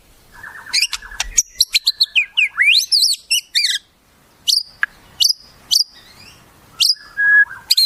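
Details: White-rumped shama song filled with wild-bird phrases: sharp rising whistles, buzzy trills and downslurred notes in quick bursts, with a short steady whistle near the end and brief pauses between phrases.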